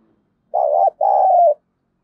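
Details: Decoy spotted dove, with a harsh 'thổ sấm' voice that provokes wild doves. A single raspy coo: a short wobbling note, a tiny break, then a longer sustained note that dips at the end.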